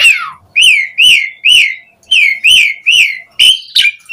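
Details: Asian pied starling song used to lure other starlings: loud arched whistles repeated at an even pace, about two per second, ending in a sharper, higher note.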